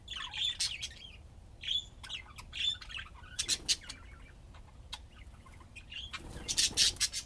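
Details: Playing budgies give short high chirps and whistles with scratchy broadband bursts, possibly wing flutters, that grow busier toward the end.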